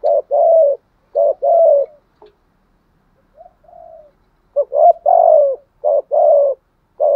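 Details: Spotted dove cooing in a tho-voiced style: paired short-long coos repeated, a quiet pause with soft notes midway, then the pattern resumes strongly.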